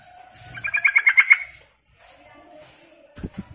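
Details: Sooty-headed bulbul call used to lure birds, a quick run of bright chirpy notes that rises and falls over about a second, followed by quiet background and low thuds.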